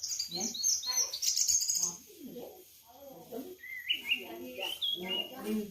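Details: Orange-headed thrush singing: quick bright high whistled and chirping phrases at the start, then a pause and a set of lower rising whistles, with human voices talking throughout underneath.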